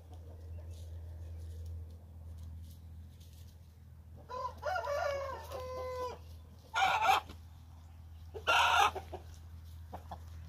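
A hen gives one drawn-out, rough, ringing crow lasting about two seconds, then two short harsh squawks, all over a steady low hum.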